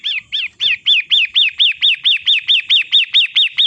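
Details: Long-tailed shrike, 'matahari' variety, in a recording meant to coax caged birds into singing: a steady run of about fifteen harsh, chevron-shaped chattering notes, evenly spaced at roughly four per second.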